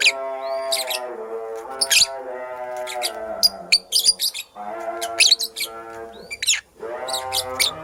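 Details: Purple lovebird, a female busy making a nest, chirps in quick high bursts over steady, tuneful background music with sustained low notes that pause briefly twice.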